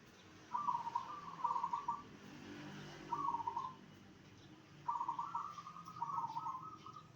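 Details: Zebra dove sounding to make other zebra doves call back, delivering four trilled, purring coo phrases in pairs with a longer gap between pairs, over faint low rumbling.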